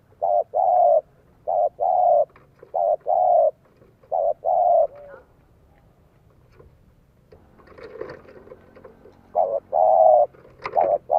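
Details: Low, mellow cooing of a spotted dove kept as a decoy to draw in wild doves, 'giọng son' voice: repeated short coo phrases in quick groups, a quieter stretch with faint background noise, then more coos.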